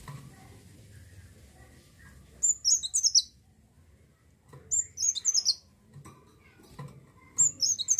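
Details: Olive-backed sunbird singing in lively 'gacor' style, used to lure other birds into singing; three short bursts of very high, sweeping twitters, each under a second, spaced roughly two seconds apart, with quiet low background hum.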